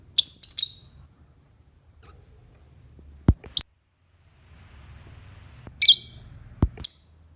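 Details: Lovebird singing in the morning as a lure: rapid stuttering shrill chirps at the start, another harsh burst near the end, with sharp clicks and knocks between.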